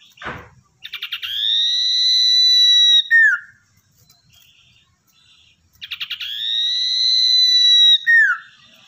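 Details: Lure-bird song from a wild-caught common iora that has been tamed: long level whistles, each opened by rapid stuttering notes and closed with a downward slur, come twice. A short noisy thump sounds at the start.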